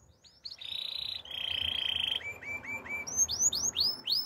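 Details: Belgian canary training song, somewhat soft: a sustained bright buzzing tone, then a row of short rising whistles, building into louder sweeping notes repeated about twice a second.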